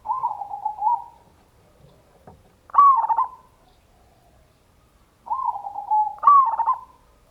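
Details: Zebra dove (local perkutut) lure song in the ngayer kerot nutut style, played to rouse other doves to sing: a level, rolling coo runs straight into a louder phrase with a sharp leading note, then the pattern repeats after a pause.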